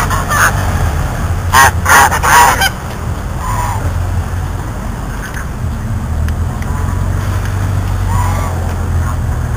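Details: Goose trying to eat the camera, with a quick cluster of three or four loud, harsh honks near the start, then a few faint scattered honks over a constant low rumble.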